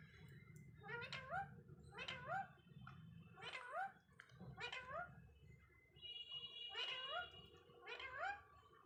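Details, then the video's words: Talking parrot giving a run of short voice-like phrases, each a quick harmonic rise and fall, repeated roughly every second with brief pauses, over a low background hum. "talking parrot"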